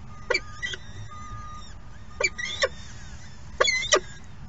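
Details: Falcon chicks at the nest during the second morning feeding, giving harsh, shrieking calls in three short clusters spaced a second or two apart, over a steady background hiss with faint thin chirps.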